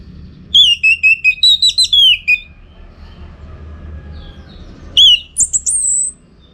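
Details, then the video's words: Orange-headed thrush (anis merah) in Bali, used as a training recording for song contests: loud bursts of clear whistled phrases, slurred notes falling from high to middle pitch, repeated rapidly, then a pause and a second burst. "Masteran ANIS MERAH Gacor"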